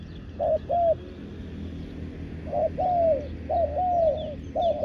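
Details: Spotted dove kept as a decoy to lure wild doves, calling from the ground: soft, mellow coos in short phrases, a quick two-note coo followed by drawn-out, slightly falling coos, repeated several times over a low rural background hum with faint distant chirps.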